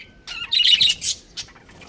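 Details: Budgerigars, a breeding pair kept in a colony, give short bright chirps and a brief warbled burst, loudest midway through, then a single sharp squeak as the calling tails off.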